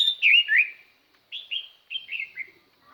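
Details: Chinese hwamei used as a decoy to call wild birds, singing clearly: a loud opening pair of slurred whistles, then short descending whistled phrases separated by brief pauses.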